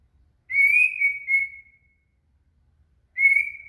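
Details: Shama song used to train a cililin: a long, steady, slightly wavering whistle, a pause, then a second shorter whistle on the same pitch, with a faint low background murmur.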